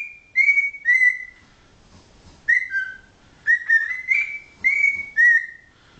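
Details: Thirteen-year-old pet cockatiel kept indoors, still learning new words, whistles clear tune-like phrases: level and gently falling notes, some slurred upward, grouped in bursts with short silences between, strong overtones and little background noise.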